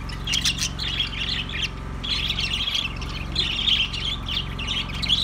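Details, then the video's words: Budgerigars warbling in fast, grating runs of chirps and squeaks, broken by a short pause near the two-second mark, steady hum beneath. "Ultra Budgies Bird Sounds"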